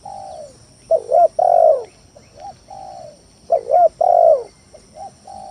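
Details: Spotted dove lure song intended to provoke rivals and get silent doves calling; a soft coo, then a loud broken coo and a long falling coo, repeated twice about every two and a half seconds, over a faint high hum.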